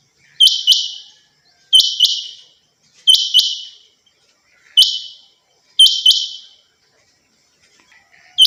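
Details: Captive female rain quail (chinga batair) calling steadily: a double note, two sharp clicks each trailing into a high, hissy ringing tone, repeated about every second and a quarter in a quiet setting.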